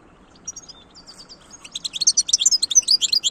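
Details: European goldfinch starting with scattered soft chirps, then building into a loud, fast cascade of liquid twittering notes.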